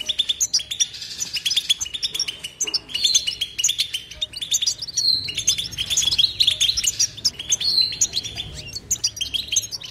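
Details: Steady 'betbeta' song of a European goldfinch: a dense, tinkling flow of high twitters, buzzy trills and clear whistled notes continuing without a break.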